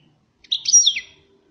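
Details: A single European goldfinch phrase, the bird called 'pyromeni' (fired up): a brief twittering burst of high chirps that dips at the end, clean and isolated.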